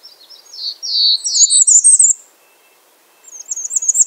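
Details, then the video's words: A string of high slurred whistles runs straight into a shrill, rapidly wavering trill. After a second of silence the bay-breasted warbler starts another very high, quavering trill. "Bay breasted warbler Calling"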